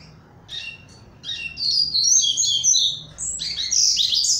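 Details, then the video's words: Coleiro, a double-collared seedeater leaving its moult and keen to sing, delivers a brisk, high-pitched warbling phrase of fast chirps that builds into a dense, rolling twitter before ending on sharper notes. "Coleiro Barra Mansa saindo de MUDA"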